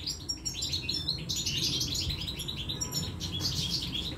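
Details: Goldfinch nestlings begging while being fed at the nest: dense, overlapping high squeaky chirps throughout, rapid and insistent, over a faint low background hum.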